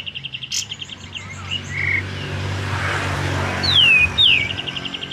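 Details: Sooty-headed bulbul singing vigorously, not yet fanning its tail, used as a lure bird at home: rapid high trill bursts, a short flat whistle, then two sharp downslurred whistles and more quick trilled notes, with low rumbling background noise.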